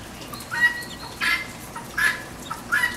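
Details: Guinea hen squawking at a backyard feeder in the rain: four harsh, grating calls roughly every three-quarters of a second, with steady rain hiss underneath.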